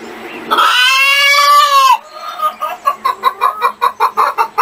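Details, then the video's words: Chicken giving a long, loud, nasal squawk, then a quick series of short, rhythmic clucks repeated rapidly. "SOM DE GALINHAS 🐔 - CACAREJANDO"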